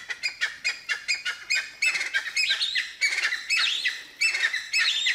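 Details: Cheer pheasant male calling within his territory at Manila, Uttarakhand, India: loud, rapid harsh chirping notes run together into a rhythmic series, later mixed with rising and falling squealing whistles.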